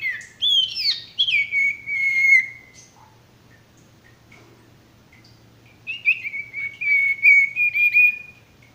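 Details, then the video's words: Male sirtu song used as training material for stressed or non-singing birds: a sharp rising whistle, then long level whistled phrases, a pause of about three seconds, then another run of sustained trilling whistles. "masteran burung sirtu"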